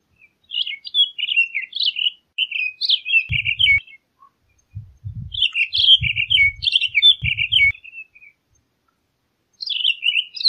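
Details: Townsend's solitaire song: rapid warbled phrases of rising and falling notes, bright and high, delivered in long bursts separated by short pauses, with faint low thumping handling noise underneath.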